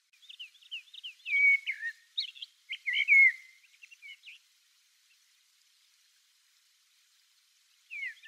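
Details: Common blackbird, a rare migrant on Okinawa main island and Ishigaki, recorded from far away: a run of mellow, slurred whistles mixed with thin twittering notes for about four seconds, a pause, then one brief note.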